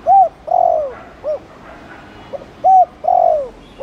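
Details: Spotted dove cooing in the Thổ Đồng style, mixing chiêu and gù calls to push other doves to coo quickly: a short hoot, a long falling coo and a clipped end note, with the phrase repeated twice.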